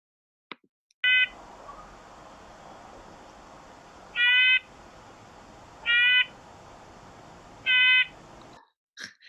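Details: Red-breasted nuthatch in Seattle giving its ordinary, non-angry call: four short, nasal, tinny 'yank' notes like a tiny toy car horn, about two seconds apart, over a faint steady hiss.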